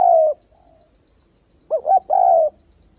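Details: Spotted dove calling to lure wild doves into traps for fighting: a long low falling coo, a pause, then two short hooting notes and another drawn-out coo, over a steady high pulsing insect trill.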